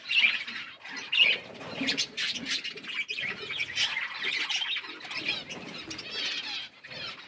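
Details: Eating parrots make two sharp loud calls at the start, then a constant jumble of high chirps and squeaky chatter.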